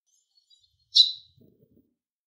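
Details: Everyday call of a Eurasian tree sparrow: one crisp, high chip that tails off, with a few faint soft rustles just after it.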